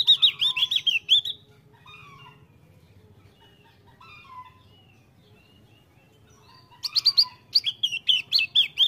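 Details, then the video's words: Javan grey-throated white-eye singing vigorously, giving two bursts of rapid, high, chattering twitters, separated by a few seconds of faint scattered notes and a low background hum. "Opior jawa gacor ngeplong"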